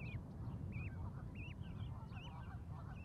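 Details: Goose chicks on an osprey nest platform beside their mother, Charlo, Montana, May 12, 2020; clear high arched peeps repeated about every half second over loud low rumbling wind noise.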